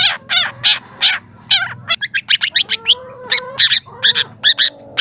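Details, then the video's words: Young long-tailed shrike singing vigorously, used as a lure recording to prompt lazy shrikes to sing: harsh, buzzy high notes in quick bursts, mixed with a few lower tonal strands, over a faint low hum. "cendet muda sudah gacor"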